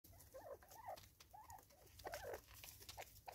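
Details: Five Natal spurfowl feeding together in South Africa, 2024, giving soft rhythmic calls: short arched notes repeated in quick pairs and runs over about three seconds, with scattered pecking and scratching clicks.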